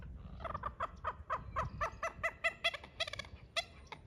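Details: Common moorhen calling a run of loud, clucking notes that speed up into a quick stuttering burst, then end with a few separate notes over low background rumble.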